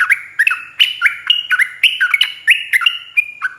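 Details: Rapid 'ropel panjang' chatter of a yellow-vented bulbul, used to train bulbuls to respond. Dense, lively run of bubbly, warbling notes in quick succession, with loud swooping chirps and no pauses.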